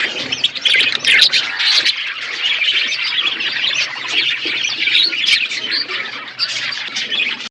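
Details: A crowded aviary of budgerigars in a forest environment twitters constantly, bright chirps and chattering warbles layered thickly with occasional sharper squeaks.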